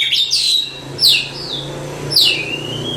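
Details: Oriental magpie-robin, a contest champion, gives three loud, piercing downslurred whistles about a second apart over a low indoor hum.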